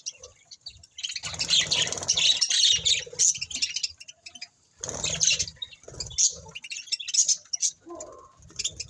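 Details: Several budgerigars chirping together: loud, dense bursts of scratchy, warbling chatter packed with quick high chirps and squawks, broken by short pauses, plus some low thumps.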